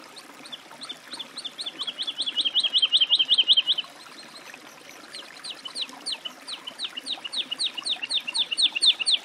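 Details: Woodlark song: two series of clear, liquid descending whistled notes repeated rapidly, about 160 per minute, the first swelling louder then breaking off, the second rising again; faint high ticking notes above and light background noise.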